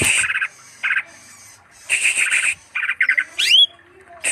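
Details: Greater green leafbird giving rasping chattered bursts of several notes each, separated by brief pauses, with one quick upward-sweeping whistle near the end.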